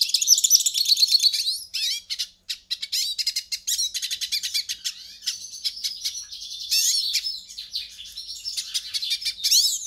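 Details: Hooded siskin song used to warm up a captive bird: energetic runs of fast high chirps and buzzy trilled phrases, pausing briefly between bursts, sung clearly with no other sounds.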